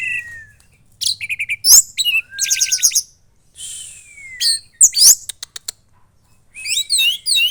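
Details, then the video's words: Orange-headed thrush, a young caged bird in Central Java, in vigorous song: long falling whistles alternate with dense buzzy rattles and sharp high chips in quick varied phrases. "Anis Merah Gacor Teler Doyong"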